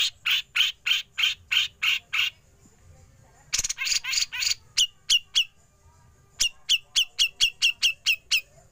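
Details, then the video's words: Grey-cheeked bulbul, recorded for training other songbirds, giving harsh besetan bursts: six rasping buzzy notes, a pause, another rough burst, then a rapid series of thin, sharp ngepik chips. "Besetan Cucak Jenggot Lanjut Ngepik"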